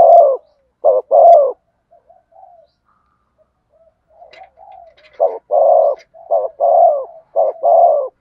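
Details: Spotted dove giving its 'thổ sấm' voice cooing song: loud, deep, hoarse coos in short bursts, then a quiet middle stretch with faint soft notes, after which the rough coos return in quick pairs.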